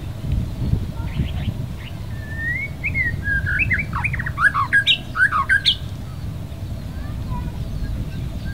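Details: White-rumped shama, a non-native species living at West Loch Shoreline Park on Oahu's Pearl Harbor, Hawaii: sliding whistles build into a fast burst of loud, rapid, jumbled notes around mid-clip, then fade against low hum.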